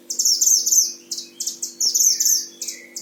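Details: Caged tutor-bird Himalayan oriental white-eye from Sragen, Central Java, Indonesia singing hard. Quick high chattering twitters are repeated in dense runs, with a soft lower note between them and a constant faint hum.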